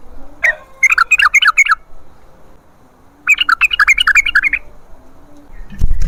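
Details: Sooty-headed bulbul song played to lure wild birds into replying: two long bursts of quick, bubbling chattered notes about two seconds apart, then a low thump at the end.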